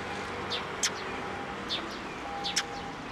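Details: Sparrows flying in to be given food near a Tenmangu shrine on 9 April 2024: a few short, sharp, high chirps spaced irregularly over about three seconds against a steady low hum.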